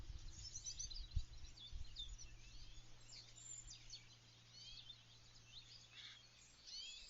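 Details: Small songbirds singing in a garden in early spring as they begin nest building; thin high chirps and short twittering phrases scattered over a quiet background with a low steady hum.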